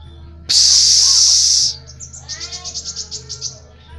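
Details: Sunbird, known locally as kolibri ninja, singing a dense trotolan-style song used as a master recording for training songbirds: a loud, buzzy, sustained high trill lasting over a second, then about ten quick, sharp high notes in a rapid series.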